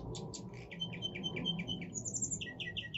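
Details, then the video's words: Young male Russian singing canary (Orpheus), 7 months old, pure singing line, forest-style song: fast varied song of rapid high chips, rolling trills and clear repeated whistled notes over a low steady rumble; Belgian canary. "Русская певчая канарейка. Лесной напев."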